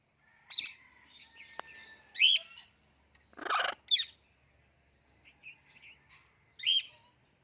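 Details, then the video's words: Indian ringneck parrot, a talking pet bird, clicking repeatedly: crisp high clicks roughly every one and a half seconds, mixed with a short breathy rush and soft whistly notes. "Talking Indian Ringneck Parrot Making Clicking Sounds"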